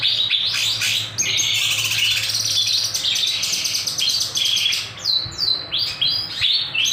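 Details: Kinoy song in sharp, energetic form for use as a master recording: crowded high twittering and trills, then separate short sweeping notes with small gaps between them.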